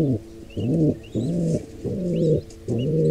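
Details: Pigeon nest scene, wild birds, squab attacked by an intruder pair: rapid run of five low, rough coos, each arching up and down, spaced roughly every half second, with light high chirps behind.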